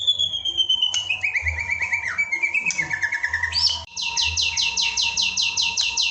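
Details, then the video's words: White-rumped shama song recorded in the evening for training other birds: varied whistled phrases gliding downward, a stuttering series, then a fast run of repeated bright notes, over a steady high background tone. "Ajakan Masteran Murai Batu untuk Mengoptimalkan Suara saat Sore Hari"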